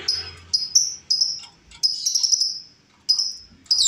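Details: Wild female lovebird calling, offered as a lure: sharp high chirps and short buzzy notes in bursts, with a longer rasping run of chirps near the middle and quiet gaps between.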